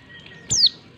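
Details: A single high, piercing downslurred call from a female white-eye, used to provoke males into responding; the brief note drops quickly in pitch and stands alone against low background hiss.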